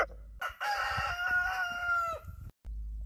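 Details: Morning crowing of a rooster on a farm: one long crow with a rough start and a held, steady, slightly falling note lasting about two seconds, over low background rumble.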